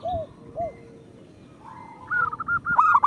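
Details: Local zebra dove lure song for prompting zebra doves to sing: soft low coos at first, then a quick run of bright, clipped coos building toward the end.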